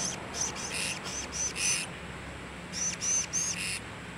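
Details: Solo blue-crowned hanging parrot, recorded 26 October 2017, giving shrill, high-pitched chirps in two rapid clusters of four to five notes, separated by a short pause, over a faint low background hum.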